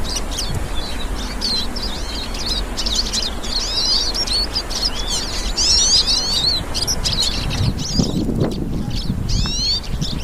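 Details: Hooded siskins singing in a group in the wild: a busy chorus of quick, high chirped notes and twittering runs, nearly unbroken, with low rumbling noise rising toward the end.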